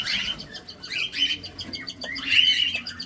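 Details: Cockatiels feeding in a cage, recorded close: buzzy, slurred chirps and short squeaks run together, with a harsher burst near the end and soft pecking patter.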